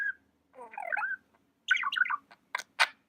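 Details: Budgie warbling a soft, wavering chatter, followed by clear looping chirps and two sharp clicky notes, over a faint low hum.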